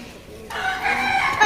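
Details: A green talking pet parakeet (tia pakhi), offered for sale in Dhaka, Bangladesh, gives a single nasal, strained, speech-like phrase lasting about a second after a brief quiet start, with faint human speech nearby.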